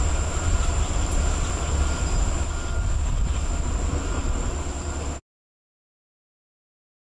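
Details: Loud rumbling train noise with low clattering and a steady high whine, ending abruptly in silence after about five seconds.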